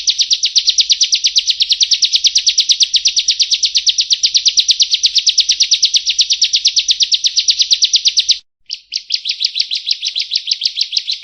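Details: Bar-winged prinia giving energetic 'nembak' song for training caged birds: a loud, very rapid, even run of high chipping notes for over eight seconds, a short break, then a looser, slightly slower series.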